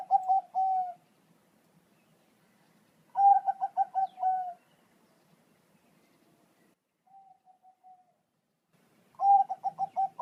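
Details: Bangkok zebra dove, recorded as a training call for pet doves to answer, repeating its rolling song about every three seconds: stuttering burst of quick coos flowing into a long level note, with one soft distant phrase between.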